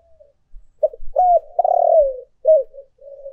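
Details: Spotted dove lure recording of urging and calling coos: a short soft note, then a run of low hoarse coos with a long drawn, falling middle note, and a final quieter coo, in otherwise silent surroundings.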